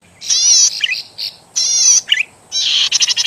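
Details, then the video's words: Zitting cisticola (cici padi) master recording for training songbirds: loud, buzzy, harmonic high notes in three bursts, broken by short chirping twitters and ending in a rapid stutter of clipped notes. "Masteran suara burung Cici Padi"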